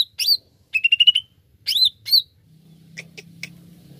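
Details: Greater green leafbird singing as a lure for other birds: a looping whistle, a quick whistled trill, arched whistled notes, then softer chips over a low hum.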